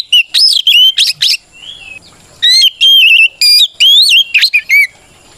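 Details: White-rumped shama in full song, meant to goad other shamas into singing: fast runs of bright whistled notes rising and falling, a quieter slurred note midway, then more clear looping whistles.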